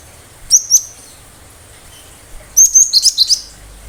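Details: Cinereous tit in full, sharp song, used as a lure that other birds answer and copy: two high, thin whistled notes, a pause of nearly two seconds, then a rapid series of about eight piercing high chirps.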